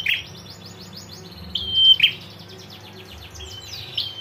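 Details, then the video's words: Female prinia ngetir calling to provoke males: one clear call of a level high whistle followed by a buzzy burst, with fainter partial calls before and after it. "PRENJAK JANTAN DIJAMIN LANGSUNG NGRESPON SUARA PRENJAK BETINA NGETIR GACOR"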